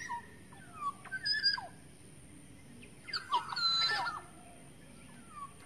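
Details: Black-naped oriole, wild forest bird, giving a lure call: two short groups of whistled, downslurred and harsh notes separated by a quiet stretch, a faint note near the end.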